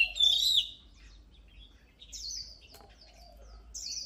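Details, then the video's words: Oriental magpie-robin opening with a loud, wavering whistled phrase, followed by softer scattered notes and two long, buzzy, descending high notes. "Luyện giọng chòe than HÓT HAY || Kích chòe than hót căng lửa || Suara Burung Kacer Gacor"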